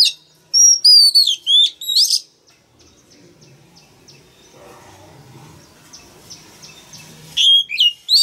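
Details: Male Oriental magpie-robin song: a fast string of piercing, slurred whistles opens, then near silence with faint thin notes and low noise, then another bright whistled burst. The singing stimulates young birds to join in.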